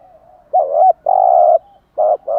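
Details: Spotted dove cooing in the morning to rouse captive doves: a gently wavering opening note, a long sustained husky coo, then two short coos, loud and close in a quiet setting.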